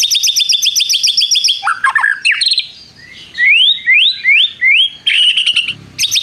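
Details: White-rumped shama in full song with prinia-style mimicry and long trills: a fast, even run of high chips, then a low buzzy jumble, followed by four rising slurred whistles and renewed rapid chipping.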